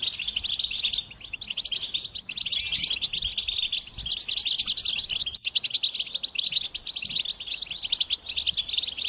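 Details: Lively goldfinch warbling, a steady stream of quick, high, liquid chirps and buzzy trills with a brief break partway through.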